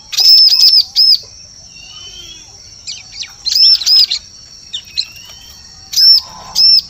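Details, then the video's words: Bar-winged prinia lure sound for forest trapping: bursts of piercing arched chirps at the start, near four seconds and near six seconds, with quiet gaps holding faint thin whistles and a constant high whine. "Suara Pikat Burung Ciblek"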